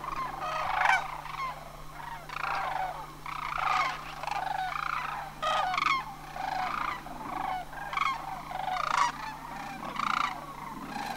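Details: Flock of sandhill cranes at Homer during autumn migration, September 2009. Rattling, trilled bugles arrive in repeated surges every second or two, many birds overlapping throughout.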